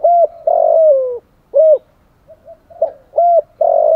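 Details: Lure recording of a spotted dove: deep hollow coos, one long coo sliding gently downward, followed by shorter rounded coos and a faint soft murmur between them.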